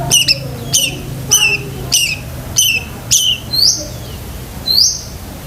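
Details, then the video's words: Long-tailed shrike in 'gacor isian' song for training pet shrikes: a series of sharp falling chirps repeated roughly every 0.6 seconds, ending in two long rising whistles, low hum underneath. "BURUNG CENDET GACOR ISIAN SEKEBUN"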